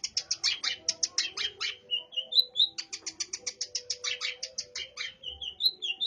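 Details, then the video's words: Long-tailed shrike song stuffed with burung gereja (sparrow) mimicry: bursts of rapid, scratchy sparrow-like chirps alternating with short clear whistled slurs, delivered continuously and energetically. "cendet gacor isian burung gereja"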